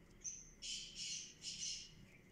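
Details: Black francolin (kala teetar) calling: a thin whistled note followed by three loud, harsh, rasping bursts in quick succession, over a low background hum.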